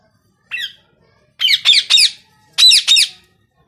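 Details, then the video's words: Ringneck parrot indoors giving harsh, high squawks: a single note, then a quick triple, then a pair, each short and grating, with silence between bursts. "RINGNECK Talking Parrot"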